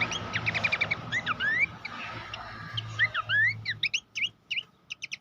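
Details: Abbott's babbler master recording for training songbirds: rising whistled slurs mixed with quick chattering notes, ending in short separate chirps over a low background hum.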